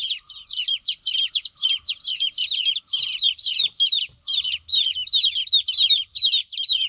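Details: Several hen chicks calling loudly because their mother is absent; a near-continuous stream of shrill, falling peeps from overlapping birds, briefly pausing near the four-second mark, with faint low rumbles underneath.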